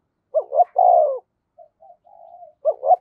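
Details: Decoy spotted dove giving one full low coo phrase, two quick notes and a long mellow note, then a few soft murmured notes before starting the next phrase.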